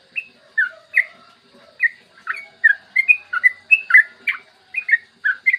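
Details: Clear morning song of a yellow-vented bulbul, long 'ropel' phrasing meant to stimulate other bulbuls: a few scattered notes at first, building into a steady stream of gurgling, rising and falling whistles.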